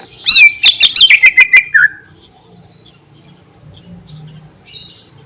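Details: Greater green leafbird performing its filled song that is said to agitate other birds: a fast burst of about eight clicking, whistled notes over a steady tone, ending in a downward slur, then faint background rustling.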